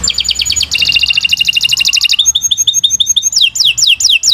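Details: Canary singing continuously, meant as a training master for other birds: a fast, high metallic trill shifts into a slower series of sharp repeated chips and then quick downward-sweeping whistles, roughly three notes a second, with faint low rumble behind.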